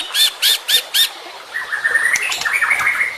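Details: Murai batu (white-rumped shama) in a full-content training song for competition birds: four loud rasping bursts, then a thin, rising run of whistled notes.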